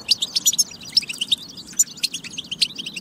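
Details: European goldfinch singing in a batba track used to prompt goldfinches to sing: bright, sharp twittered notes and quick tinkling chirps in irregular bursts, about one loud note per second, with a faint low background hum.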